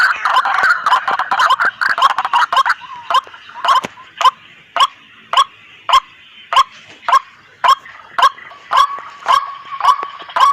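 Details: White-breasted waterhen calling noisily as a hunting lure; begins with dense chattering, then settles into single sharp croaks repeated about every half second, very regular.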